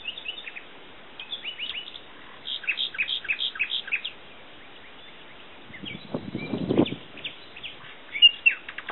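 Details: Common nightingale song in spaced bursts of short, repeated, pure notes, some rapid and stuttering, with brief pauses between phrases; a low rumbling noise intrudes midway before the singing resumes.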